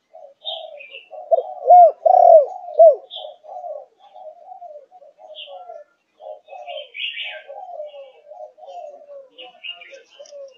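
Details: Young spotted dove of the Malaysian line, four months old, thúc gù cooing type. A single loud run of three or four arched low coos stands out midway, surrounded by soft murmuring notes and a few faint higher chirps.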